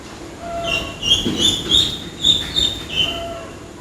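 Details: Chicks heard close up: repeated high, thin peeps, several overlapping and sliding slightly downward, over a steady broadband rushing noise.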